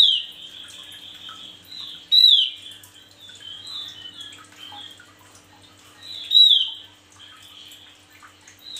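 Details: A singing male Javan grey-throated white-eye, suited for tutoring other birds, gives a steady thin high trilling over nearly nine seconds, cut by two loud piercing downslurred notes about four seconds apart.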